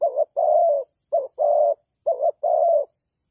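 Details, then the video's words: Spotted dove used as a trapping lure, giving three steady phrases. Each is a short wobbling coo and then a longer, even, mellow croo, spaced roughly one second apart against near silence. "The Sound Of Dove is very good Trap,Bẫy cu gáy bằng mồi trồn"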